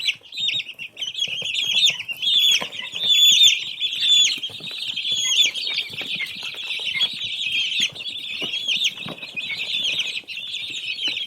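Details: A group of baby chicks chirping without a break, a busy mass of shrill, quick peeps, some louder bursts standing out, plus light rustling and soft thumps beneath.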